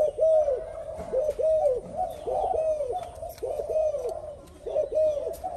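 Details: Spotted dove, a newly caught bird that has just begun to coo alongside an old decoy; a repeated series of low, bowed coos, about one a second, in uneven groups with short pauses.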